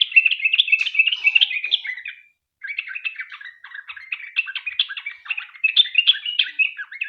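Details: Extended 'ropel' singing by a sooty-headed bulbul, intended to make other bulbuls sing: loud, rapid chattering and warbling, a brief half-second gap, then more unbroken quick notes.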